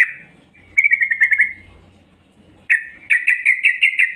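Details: Yellow-vented bulbul female giving luring calls for males, a short rattle of quick notes, a pause, then a louder stuttering series of bright repeated notes.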